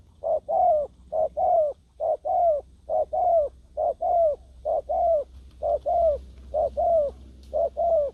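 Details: Spotted dove calling as a ground decoy to lure wild doves, with a trapped wild dove still fighting. Steady series of paired, mellow, slightly falling coos, roughly one pair per second, against a quiet low background rumble.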